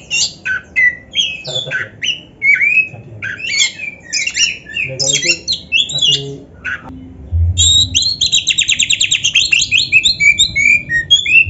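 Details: Oriental magpie-robin (kacer) singing a lively, rich 'gacor full isian' song used as training material for other kept birds: dense, varied whistled and chattering notes, sharp upslurs and buzzy trills, ending in a rapid run of repeated notes.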